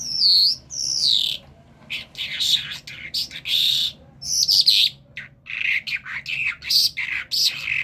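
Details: Talking common myna from Kerman opens with clear slurred whistles, then runs into buzzy, squeaky notes and quick chattering phrases.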